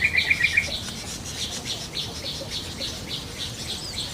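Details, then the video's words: Wild yellow-vented bulbul sounding a quick string of six bright, rattling notes in the first half-second, over a busy chorus of high chirping birds and insects. "SUARA BURUNG TRUCUKAN DI ALAM LIAR"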